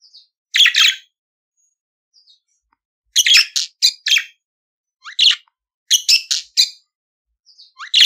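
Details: Budgerigar song used to teach captive budgies: clusters of short rasping chirps and rising squeaks, grouped in quick runs of three or four notes between quiet gaps, nothing else audible.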